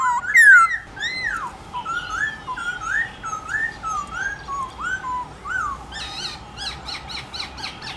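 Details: Black-throated laughingthrush, a trained bird singing forest-style song in the morning: a series of loud, clear whistled phrases rising and falling, repeated steadily, with a burst of rapid high chattering notes near the end.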